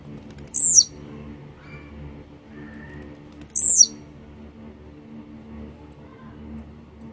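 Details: Grumpy, warmed-up Blue-black grassquit singing two brief, shrill, downward-slurred buzzy phrases about three seconds apart, with faint background hum and soft distant sounds.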